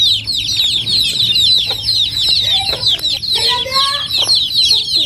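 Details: Chicks and a grown chicken in a village in Bangladesh: continuous high shrill peeping from many chicks, with a few lower clucks and brief harmonic calls from a larger bird partway through.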